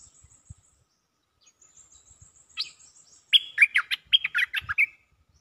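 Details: Cream-vented bulbul calling for a mate: after a thin high whistle held in the background, a lively run of about nine chattering, bubbling notes sweeping up and down in pitch.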